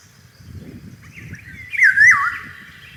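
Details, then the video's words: Golden oriole in spring with cherry trees in bloom, giving a single mellow, flute-like phrase that rises and dips in a liquid yodel, over a low rumbling background. "Иволга. Пение птиц."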